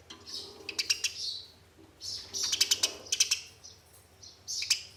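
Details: Eurasian tree sparrows fighting, used as a lure to make caged sparrows sing: sharp, high chirps in rapid clustered bursts, some harsh and buzzy, separated by short pauses.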